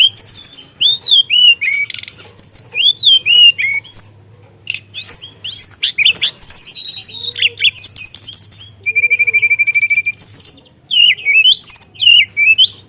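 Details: Long, energetic song of a Javan tesia, delivered in a rolling style packed with imitations: dense bursts of sharp slurred whistles, a brief lull, then buzzy chatter and a sustained level trill before more swooping notes.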